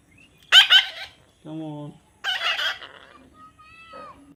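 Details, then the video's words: Baby parrot being hand-tamed, uttering two raspy squawks about two seconds apart, while a person repeatedly says "come on" and a short whistle-like tone sounds near the end. "natural funny parrot sound"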